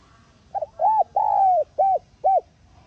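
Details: Spotted dove calling to trigger a decoy bird's song. One clean phrase over quiet background: a brief note, an arched coo, a long drawn falling coo, then two short arched coos.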